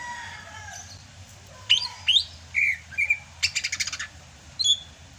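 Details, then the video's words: Greater green leafbird from Sumatra in the rainy season: after a quiet start come sharp upslurred whistles, short warbles and a fast stuttering rattle, then one final high note. "MUSIM HUJAN CUCAK HIJAU SUMATRA MASIH BISA GACOR"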